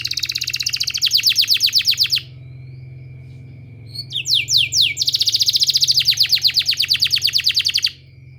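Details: Canary singing a therapy song for training other canaries: a loud fast trill, a pause filled with a few sweeping notes, then a second long rapid trill, over a constant high background tone and low hum.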